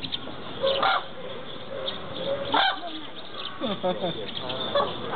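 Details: White-naped crane at Ueno Zoo giving loud, harsh, harmonic calls: single notes and a quick stuttering run, over a murmur of background noise.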